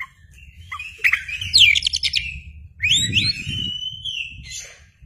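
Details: {'text': 'Oriental magpie-robin, kacer, in vigorous song with tail fanned: a long wavering whistle, then a fast burst of chattering notes, then looping rising and falling whistled slurs fading out.'}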